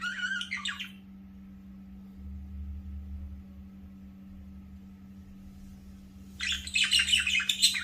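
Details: A pet budgerigar gives bursts of scratchy, squawking chatter, with a quiet pause between them.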